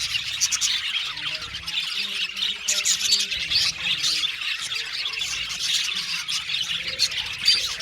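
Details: Aviary colony of budgerigars chattering together, a busy unbroken stream of high, scratchy warbles and chirps, with faint low tonal sounds humming underneath.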